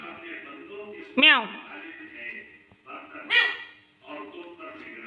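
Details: Tame talking ring-necked parrot, said to speak Urdu and Hindi. It gives two loud, harmonic, falling cries about two seconds apart over a busy background of muffled voices and household noise.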